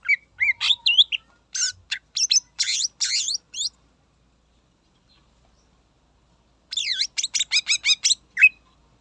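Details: Greater green leafbird (cucak ijo) singing to rouse rival birds: rapid bursts of bright chirps and downslurred whistles, a pause of about three seconds, then another fast ringing burst.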